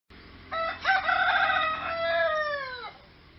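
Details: Rooster crowing near ducks: one long, harmonic crow of about two and a half seconds, with a strained opening, a steady middle, and a falling, drawn-out close, over light background noise.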